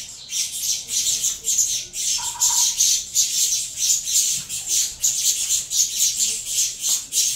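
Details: Saffron finch chicks from a captive Venezuelan-line cross beg during feeding: continuous harsh hissing squawks in rapid pulses, with a brief faint lower tone early on.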